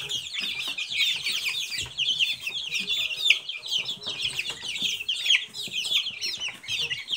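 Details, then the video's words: Young Silkie chickens peeping together, a steady stream of high, thin cheeping notes from several chicks overlapping throughout, with faint soft low thumps underneath. "Цыплята шелковые"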